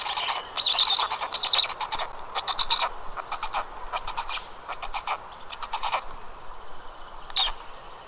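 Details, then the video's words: Two black stork chicks calling in their nest in Karula National Park, Estonia, 29 May 2022 at 19:40, two very different voices: harsh, rasping, hissy bursts in quick ragged series, each a cluster of scratchy pulses, pausing briefly between runs. "Черный аист . Голоса птенцов."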